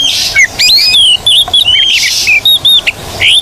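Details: Energetic Oriental magpie-robin (kacer) song used as therapy for silent birds: fast sequence of looping whistles and short chirps, mixed with two coarse hissing rasps, notes coming in tight clusters.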